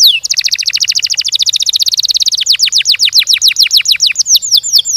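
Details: Canary in lively song, opening with a rapid, dense rolling trill of short notes for two seconds, then switching to a steady series of sharply descending whistled notes repeated several times per second.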